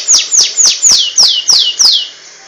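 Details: Oriental magpie-robin, ngentrok style: six identical loud, high notes, each sliding sharply downward, repeated about every third of a second in a steady series.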